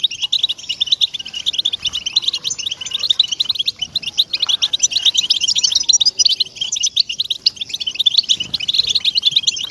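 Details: European goldfinch song used to stimulate captive goldfinches to sing: a dense, rapid, continuous jumble of high twittering notes and tinkling trills, with faint low background rumble throughout.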